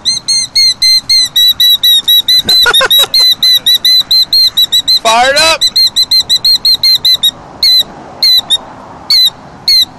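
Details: Killdeer guarding its nest with eggs in the rocks, upset by a nearby person: rapid shrill piping notes repeated continuously, pausing and becoming more spaced near the end, with a brief burst of human voice midway.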